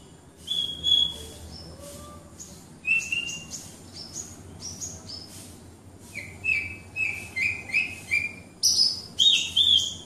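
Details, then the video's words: Wates-type Horsfield's bush lark, a caged Javan bird in strong song, gives scattered high whistles and chirps that build into a quick chattering series of short notes near the end, against low steady background noise. "Branjangan Wates Gacor Dor - Branjangan Javanica"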